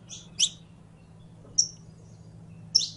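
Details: Saffron finch, or canario criollo, giving a few sparse high buzzy chirps and one clear downslurred whistle, separated by longer pauses, soft hum underneath.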